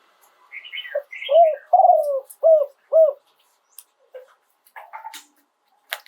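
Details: Spotted dove in live 'yon 2 kuk' song: a run of four rounded coos, the second drawn out, preceded by brief higher chirps and followed by knocks and a short faint coo.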